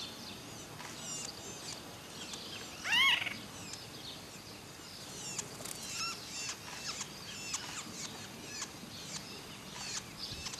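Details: In December 2012 in Córdoba, one loud, harsh, slightly rising great kiskadee call stands out near the start, over a steady bed of faint chirps and ticks from other birds and insects.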